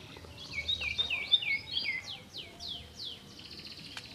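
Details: Canary song, fairly soft against background hiss: a string of swooping downward whistles of varying length, sung in a loose phrase.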